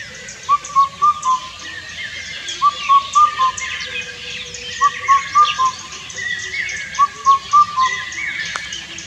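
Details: Indian cuckoo repeating its four-note whistled hooting phrase about every two seconds, four phrases in all, with the final note of each falling slightly; other birds chatter in the background.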